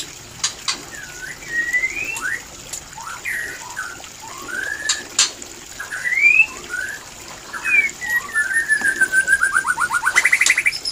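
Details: White-rumped shama mating song used as a breeding lure; spaced, clear whistled phrases sliding up and down, followed by a quickening series of repeated notes that climbs into a high rapid trill.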